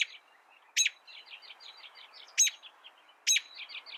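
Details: Canary singing in short bright bursts: loud sharp chirps about every second, linked by quieter rapid twittering trills; high-pitched throughout with no other sounds.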